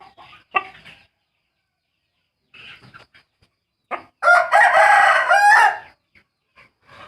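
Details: Trumpet-voiced rooster crows once, loud and drawn out for nearly two seconds, a harsh, buzzy, harmonic blare with a slight rise. Faint short clucks and scattered soft noises come before it in near silence.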